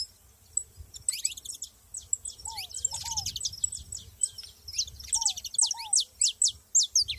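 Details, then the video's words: Saffron finches together outdoors in nature make long, busy strings of thin, high, sharp chirps, with a soft paired downslurred whistle at two moments and a faint low background hum. "canário da terra junto na natureza"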